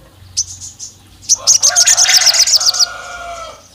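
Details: Olive-backed tailorbird, said to be a female calling the male and provoking rival males: a few soft high chips, then a quick trill of bright notes over a lower hoarse droning sound.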